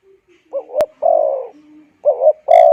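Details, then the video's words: Spotted dove call, used to rouse wild doves and train decoy birds: two mid-pitched phrases, each a quick wavering double coo followed by a longer, slightly falling drawn-out coo, with a faint low hum between. "Tiếng Chim Cu Gáy dùng kích Bổi luyện Mồi hay"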